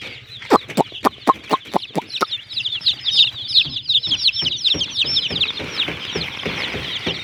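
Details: Many colourful chicks of a hen cheep shrilly and continuously, a bright overlapping twitter, while loud sharp taps repeat roughly every quarter second at the start and then fade.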